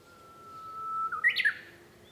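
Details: Japanese bush warbler singing, heard from inside a home on 5 May 2013: a long, pure, steady whistle swelling in loudness, then a sharp, bright phrase of two or three quick notes.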